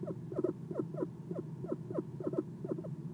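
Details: Eastern screech owl visiting a nest box around 1:37 am, sitting on the perch: a short burst of soft, quickly repeated downward chirps, roughly three per second, some doubled, over low hum.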